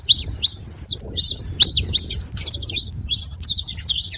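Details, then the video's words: Saffron finches in a flock giving high, sharp chirps and squeaky downslurred notes, spaced at first and then crowding into a busier overlapping twitter toward the end. "canário da terra fazendo barulho em rebanho"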